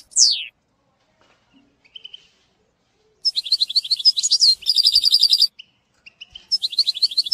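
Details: European goldfinch singing, recorded to train a young bird: one sharp descending whistle, near silence, then bursts of rapid twittering and a buzzy rattle, resuming with bright chirps.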